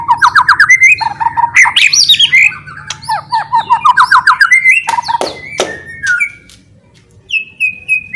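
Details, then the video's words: White-rumped shama singing loudly to provoke other shamas to fight: fast repeated chattering notes in rapid bursts, swooping whistles, and sharp clicks, with loud pauses between phrases. "KICAUAN NYA LANTANG,,PASTI LANGSUNG FIGHTER BONGKAR ISIAN"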